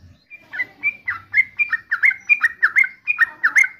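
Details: Yellow-vented bulbul (trucukan) singing a bubbly, liquid phrase of quick slurred notes that dip and rise, repeated roughly three times a second over a quiet background.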